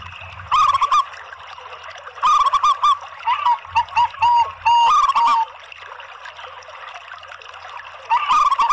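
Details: Local and Bangkok zebra doves singing together, recorded as a lure for other doves: phrases of rapid, trilled cooing notes followed by a few smooth coos, then a quiet gap of about three seconds before another rolling phrase begins.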